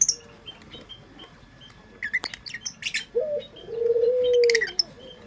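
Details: Local puter pelung dove from Indonesia, sung as a lure: after scattered high chirps from small birds, a drawn-out low coo begins with a quick rise, then holds a long, steady, slightly wavering tone before cutting off.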